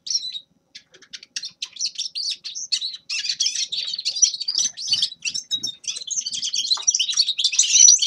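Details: Grey-crowned goldfinch starting with sparse, clipped chirps that quicken into a rich, continuous twittering song of high trills, buzzes and thin whistles, growing louder toward the end.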